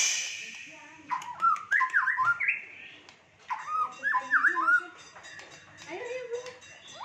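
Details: White-rumped shama of fighter type with a rich 'isian' fill, singing loud whistled phrases that sweep up and down in short bursts, separated by pauses, over a faint background hiss.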